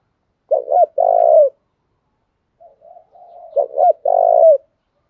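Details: Spotted dove giving 'thúc gù' coos for daily voice training: a double hoot with a long vibrating coo, then soft faint murmurs leading into a second identical phrase.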